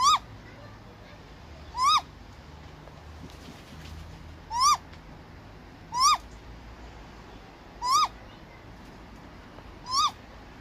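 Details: Repeated great grey owl calls: six brief, harmonic notes that rise then fall, spaced about two seconds apart, against a quiet low-frequency background rumble.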